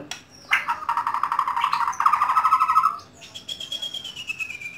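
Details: Home-kept white-rumped shama delivering a long rapid rattling trill on a steady mid pitch, then a thin high whistle that slowly slides downward.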